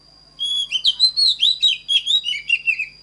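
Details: Oriental magpie-robin training song: one rich phrase of rapid, varied whistled notes and short chirps lasting about two and a half seconds, backed by a thin continuous high tone.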